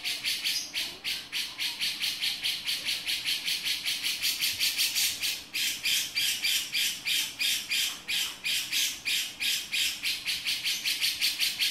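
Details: Harsh 'beset' chattering from a male grey-cheeked bulbul, rasping broad notes pulsed rapidly and continuously, close to three per second, with a brief dip in loudness midway.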